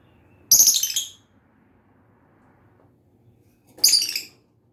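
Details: Lovebird calling with two loud, shrill chirps roughly three seconds apart, each a short raspy burst, over a faint low background hum.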